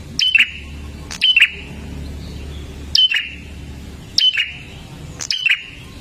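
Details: Olive-backed tailorbird, a recording used to get caged birds singing: sharp, loud bursts pairing a high flat whistle with a falling note, repeated roughly every second, over a low rumbling hum.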